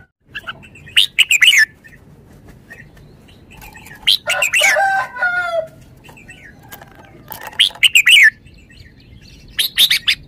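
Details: Red-whiskered bulbul delivering quick, chirpy warbled phrases in spaced bursts, with a lower, harsher rasping passage in the middle and pauses of a second or two between bursts.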